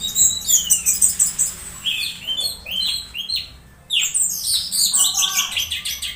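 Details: Anis merah, the orange-headed thrush, making strange sounds while conditioned, used to provoke singing during misting; high descending whistles followed by pulsing, rapidly repeated sharp chirps with a brief pause midway.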